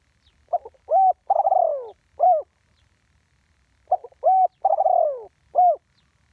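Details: Spotted dove calling in the 'one kuk' style used for ground decoying ('tor din'), recorded live. Two repeated phrases roughly three seconds apart: clipped stutter notes, a full coo, a long sliding burry trill dropping in pitch, then an ending coo.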